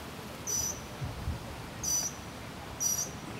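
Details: Northern mockingbird singing at Arlington National Cemetery, Virginia, USA, on 30 May 2015: three short, high, bright phrases spaced about one and a half seconds apart over steady low background rumble.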